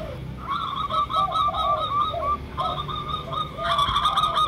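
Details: Zebra dove (local perkutut) lure calling, where rapid staccato coo notes repeat in two bursts over softer, lower drawn-out coos, with a faint rustle near the end.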